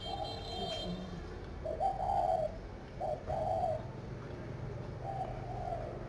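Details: A dove-breeding garden near Hanoi, Vietnam, where a spotted dove coos in a gentle series of short and drawn-out notes, then ends with a longer trailing coo over a low background hum.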